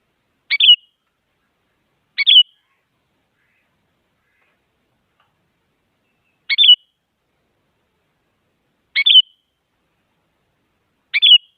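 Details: Sooty-headed bulbul, a female calling a male, used as a lure to get silent bulbuls singing: five short bubbly chirps, each a quick rising-falling burst, spaced irregularly one to four seconds apart, with clean silence and no other sounds between.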